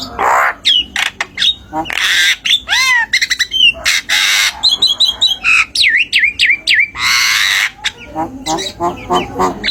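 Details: Javan myna (jalak kebo) recorded as tutor song for birds that stopped singing: dense mix of harsh squawks, stacked rattling notes, repeated sharp upslurred whistles and scratchy chatter with almost no pauses.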